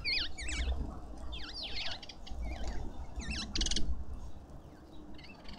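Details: Lovebirds at a feeder in a suburban garden in Pretoria, South Africa, giving shrill, wavering squeaky notes that swoop up and down in quick overlapping bursts, with a low rumble of background noise.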